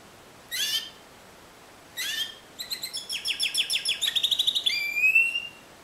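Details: Timbrado canary singing in the discontinuous style: two short descending chirp bursts, then a fast run of rapid metallic notes that speeds up and ends in a rising whistled glide.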